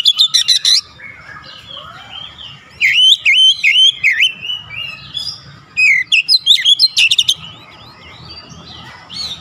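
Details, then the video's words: Kacer, the Oriental magpie-robin, in lively persistent song: rattling click bursts open, followed by a run of wavering whistles and another chattering outburst, then fainter notes over steady background hiss. "KICAUAN OBAT KACER SETRES CEPAT SEMBUH DAN GACOR NGOTOT BONGKAR ISIAN"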